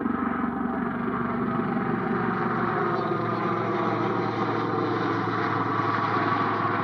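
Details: Steady, loud vehicle engine rumble runs throughout, with a faint voice underneath and no animal calls.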